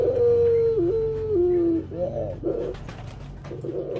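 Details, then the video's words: Pet collared dove cooing in a smooth sustained tone that steps down twice to a deeper pitch, followed by softer muffled notes and background rustle. "burung puter"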